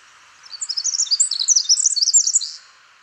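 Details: Male Pacific Wren singing with great speed and volume in spring conifer forest at Peavy Arboretum and McDonald Forest, Coast Range foothills: a loud two-second burst of very high, rapid, tinkling twitters and trills.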